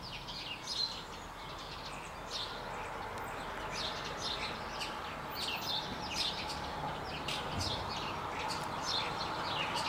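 A common starling's busy, rambling song of quick clicks, squeaky whistles and scratchy notes, delivered in rapid bursts over a steady low background hum.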